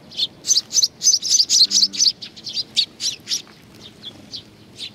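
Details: Feeding-time sparrows at Tenmangu shrine, Nakanoshima, 21 June 2020: a dense volley of rapid high tweets that thins into slower, softer single chirps.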